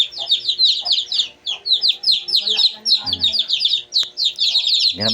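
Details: Two-day-old Shamo chicks peep nonstop, many overlapping high falling chirps, with a brief low harmonic sound in the middle and at the end.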